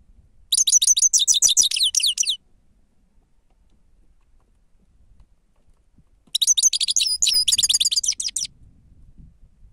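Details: Grey-crowned goldfinch singing the 'sava' song, recorded for luring: two loud, rapid twittering phrases of about two seconds each, full of bright metallic trills, with a quiet gap between.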